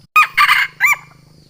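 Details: Sumatran junglefowl challenge call, used to lure wild birds: three loud hoarse bursts, a short first note, a longer strained middle phrase and a brief rising final note, with a low hum continuing afterwards.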